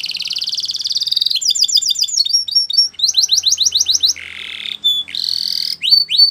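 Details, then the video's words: Spanish Timbrado canary song used for training: buzzy rolling trill, then varied rapid phrases of slurred notes, a low steady buzzing tone, and rising whistled notes near the end. "Canary Training Song | Canary Spanish Timbrado"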